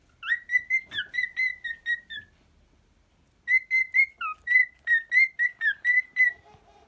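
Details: Pet cockatiel singing: a fast run of short, clear whistled notes at an even pitch, a pause of about a second, then another quick string of similar bright whistles.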